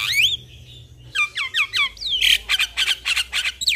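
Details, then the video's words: Javan myna lure song to stir a silent starling into singing. It opens with a rising whistle, then a series of descending slurred whistles and a run of rapid harsh chirps. "Pancingan Burung Jalak Malas Bunyi Dengan Suara Jalak Kebo Masteran"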